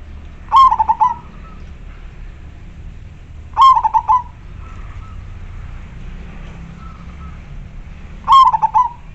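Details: Local zebra dove used as a lure for wild doves: clear, full cooing phrases, each a short burst of rapid stuttering coos, repeated about every three to four seconds against quiet low background hum.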